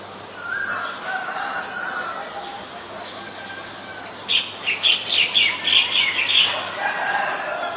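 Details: Male and female Asian koel. Soft rising whistles at first give way to a rapid run of shrill, high notes, about a dozen in quick succession, before fading back to quieter background.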